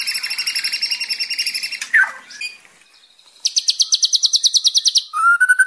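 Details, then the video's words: White-rumped shama (murai batu) song meant for tutoring untrained birds: layered rapid trilling, a swooping note, a brief pause, then a fast run of bright repeated notes ending in a lower whistle. "WHITE RUMPED SHAMA CALL"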